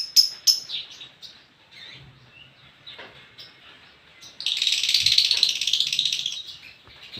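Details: Melodious lobert song: a few bright high chirps open, followed by quieter twittering, then a loud fast buzzy chattering trill lasting about two seconds before a final chirp.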